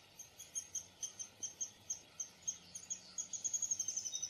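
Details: Downy woodpecker calling with a run of sharp high notes, evenly spaced at first, then speeding into a fast, slightly falling rattle at the end, over steady background hiss.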